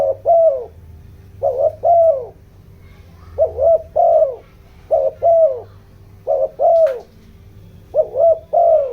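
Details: Decoy spotted dove calling in 'giọng đồng' style to stir up wild doves: paired mellow coos, each pair rising then falling, repeated steadily about every one and a half seconds with a constant low hum behind.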